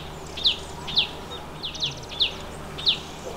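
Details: At its nest hole in the Himalaya, a Chestnut-bellied Nuthatch (Sitta cinnamoventris) calls with sharp, high, descending single notes about every half second, over faint background hiss.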